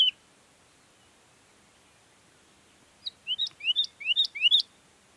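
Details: A woodlark singing in Sierra Nevada, Granada, Spain gives a single clear note, then a pause, then a quick run of five liquid, rising whistles growing louder. The background is quiet.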